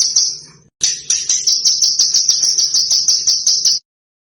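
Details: Small bird master song for teaching caged contest birds: a fading buzzy note, a short pause, then a fast series of high sharp chirps run together into a steady trill that stops abruptly.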